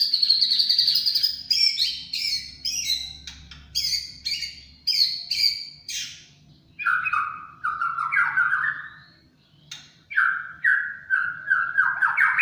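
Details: Champion white-rumped shama singing in the 'tembakan cililin' style: high buzzy trills near the top of its range break into quick repeated chirps, then lower, richer whistled phrases that slide and waver, with short pauses between bursts.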